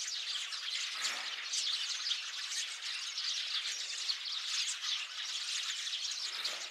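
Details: Sparrows in a large flock on 8 February 2024, a steady din of crowded chirping and harsh squawks that overlap without pause throughout.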